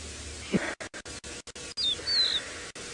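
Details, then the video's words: Rufous-naped lark gives a high, clear two-part whistle, a short note then a longer slurred one, on a very still sunrise morning at 7:00 AM, 19 October 2017, on safari in Djuma Game Reserve, Sabi Sand, South Africa. "The one bird that you're hearing very clearly is a rufous-naped lark."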